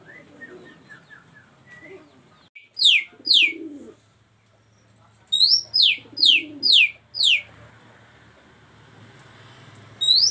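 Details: Female Oriental magpie-robin singing, said to be calling the male: bright, high whistled notes slurring sharply downward, given in two bursts of two and then five notes, over faint low murmuring background sounds.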